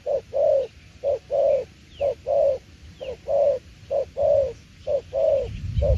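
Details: Spotted dove giving its cooing in the style called đồng tiểu liên: low, mellow hoots in quick pairs, a short note followed by a longer one, about once per second in a steady run, with quiet background hiss.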